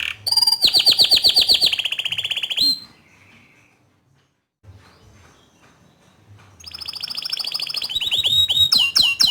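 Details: Canary song meant for training juvenile canaries: a long rapid trill of high pulsed notes, a quiet pause, then the song resumes with sweeping rising and falling whistles and chips.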